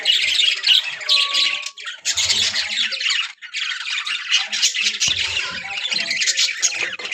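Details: A breeding colony of budgerigars with pairs ready to breed keeps up a constant buzzy, high chatter. Many overlapping squawks are broken by short pauses, and a single steady whistled note stands out early on.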